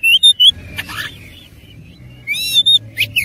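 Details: Kacer (oriental magpie-robin) in a fighting-mood song: a couple of bright whistled notes, a rough scratchy burst, a brief quiet stretch, then a rising whistle and sharp chirps.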